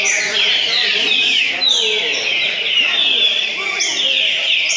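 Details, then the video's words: Green-winged saltator (trinca-ferro), repeater type, competing in a tournament at Cachoeira Paulista, Brazil, delivering bright, falling whistled phrases over and over amid a dense chorus of similar singers. "trinca ferro repetidor no torneio em cachoeira paulista"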